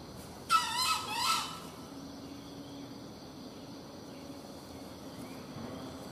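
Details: Junglefowl crow on a hunt: a brief, coarse, two-pulsed crow early on, then only steady insect buzz and quiet rural background.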